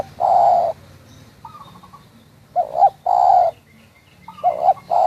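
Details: Local spotted dove calling at Munjung Agung, Kramat, Tegal. Phrases repeat in the same order: a long steady coo, a short stuttering note, then a quick double coo. A low steady hum runs underneath.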